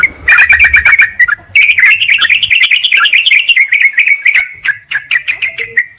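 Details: Bulbul lure sound, yellow-vented bulbuls calling a rival to attract wild birds; rapid rolling chirps merging into a long continuous warbling chatter, with sharp clicks toward the end.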